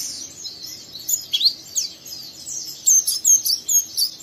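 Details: Young oriental white-eye singing a rough, rapid chatter meant to provoke a second bird into singing; high squeaky twitters, then a run of sharp, bright chips repeated about every third of a second near the end.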